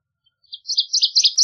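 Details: Northern waterthrush song fragment, a brief string of high, sweet chirped notes getting louder and quicker over about one second, with no other sounds.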